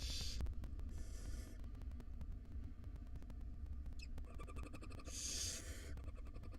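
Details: Five wild barn owl nestlings awaiting food in a nest box: hoarse hissing bursts at the start and near the end, between scattered clicks and scratching, over a low hum.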